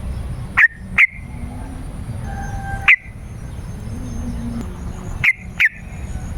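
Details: . Yellow-vented bulbul song used to call wild birds and prompt caged ones to answer. Scattered sharp, bright notes in doublets and singles, with a faint steady tone and low background noise between them.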